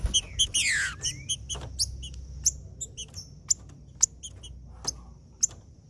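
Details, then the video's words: Macheando song of a green-winged saltator, used to warm up other saltators: one strong, sweeping downward whistle near the start, followed by a run of sharp, evenly spaced ticks and short high notes. "Trinca-ferro Macheando com Trinca ferro cantando Para Esquentar Trinca ferro"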